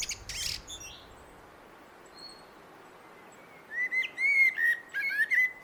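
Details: Common blackbird singing: after a quiet opening with a brief high burst, mellow warbled phrases near the middle register begin around four seconds, each topped with thin high twitters.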